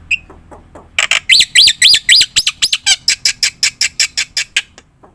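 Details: Black-winged myna song used as a lure for other birds; a sharp whistle, then loud harsh squawking bursts with rising whistled hooks, repeated rapidly about four times a second.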